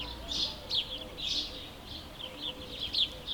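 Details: House sparrow chirping in natural surroundings: short bright chirps repeated irregularly, roughly two or three per second, with a faint low murmur beneath.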